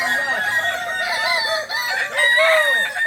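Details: Crowing of a Kukuak Balenggek, an ornamental chicken native to Solok, West Sumatra, at a training session. Continuous chains of short arched syllables overlap, with a rising and falling loop in the last second.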